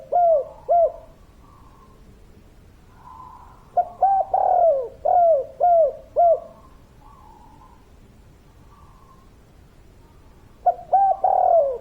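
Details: Local spotted dove singing in kuk 3 style. Pairs of clipped coos, then a full phrase with a long falling coo, a long pause with faint soft notes, and a new phrase starting at the end.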